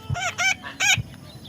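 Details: Harsh, nasal squawks from a baby parrot, two close together then a third after a short pause, each accompanied by a soft low thump.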